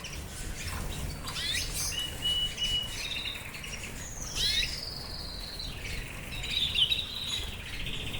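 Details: Fife Fancy canary singing: rapid chirped trills and rising sweeps, then a long bright whistled note gliding down, followed by buzzy rolling trills, over steady low background hiss.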